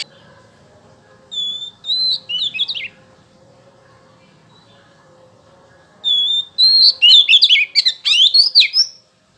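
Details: Oriental magpie-robin singing to draw responses from males: clear rising whistles and scratchy phrases, a pause over a low steady hum, then a long, vigorous run of varied whistled and chattering notes.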